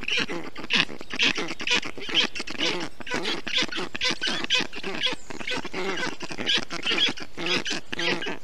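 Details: Black stork chicks in a nest in Estonia on 20 June 2021, calling in a changed way during heat while the male parent cools them with water, moss and wet grass; dense harsh raspy bursts, rapid and overlapping, about two per second.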